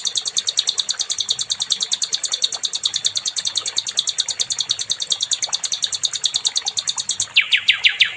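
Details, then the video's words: Nightingale, known locally as sikatan londo, used to train other songbirds: a long rapid chatter of high, tightly spaced notes, ending in a brief lower descending flourish of slurred notes. "SIKATAN LONDO🏆🔥 NIGHTINGALE"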